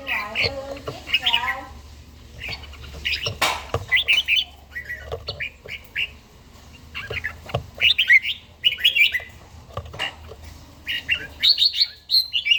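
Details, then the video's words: Red-whiskered bulbul singing in the morning during daily song practice, Gia Lai; repeated short phrases of chirpy, slurred whistles in irregular bursts, with a sharp click-like sound early on. "chàomào HÓT SÁNG, LUYỆN CHIM HÓT HẰNG NGÀY"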